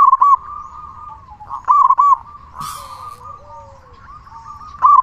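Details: Zebra dove song used as a lure for other zebra doves. Brief bursts of rapid, bubbling coos at the start, middle and end, linked by a soft, steady cooing hum and one short rustle.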